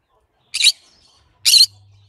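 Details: Two grating, noisy screeches from a green-cheeked conure, each a quarter-second burst, separated by almost a second of quiet with a faint whistle trailing the first.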